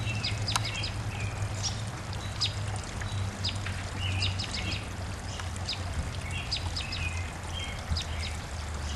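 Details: Many birds singing at the end of the day at sunset in spring: overlapping high chirps, brief whistled notes and short trilled phrases scattered throughout, above a continuous low rumble.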